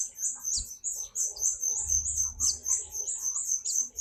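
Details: Shrill, high-pitched twittering from a white-eye in full song: quick repeated chirps at a steady pace, with a low rumble in the background.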